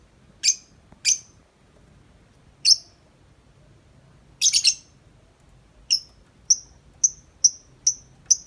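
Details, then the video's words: Tame lovebird outside its cage, giving long nonstop chattering. Sharp, high clicking chirps, single or in quick triplets, speeding into an evenly spaced series of short notes near the end, with a quiet background. "Lovebird Jinak Ngetik Panjang Nonstop 10 menit di luar Kandang"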